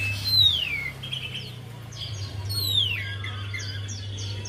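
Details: Javan white-eye song serving as a lure to prompt a silent bird: two clear, long downward-sliding whistles each followed by soft rapid twitters, over a faint constant hum.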